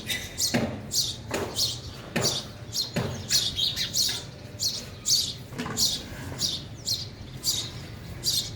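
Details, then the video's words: Sparrows eating at a feeder, one a young bird; bright high chirps come in clustered bursts about every second, with sharp broadband knocks and clicks mixed in, like pecking or landing. "sparrow sound effect | ચકલી ઘર | chaklino avaj | sparrow eating"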